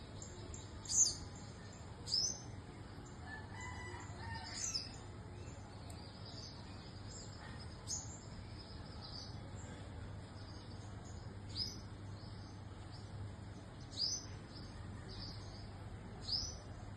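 A purple sunbird gives thin, high, sharp notes every couple of seconds over a steady low hum.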